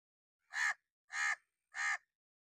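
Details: Crow in an angry mood giving harsh, loud caws used for alarm or warning: three rasping, broadband calls spaced about 0.6 seconds apart against a silent background.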